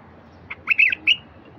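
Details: Bulbul phrase used to start silent wild bulbuls singing: a soft lead-in note followed by a rough, gurgling, slightly harsh run of three to four notes ending in a clearer whistle, against low hiss.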